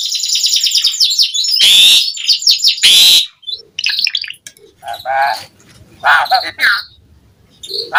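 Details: Asian pied starling song as a lure to get starlings singing: high fast chattering trills and loud harsh bursts, then scattered lower notes and quieter gaps.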